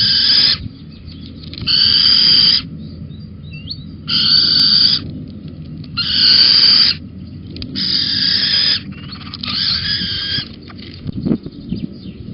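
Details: Little owl perched on a beam in Holten on 19 May 2020 at 11:37, giving a series of rough, breathy hissing screeches of about one second each, repeated roughly every two seconds. Faint thin chirps fall between them.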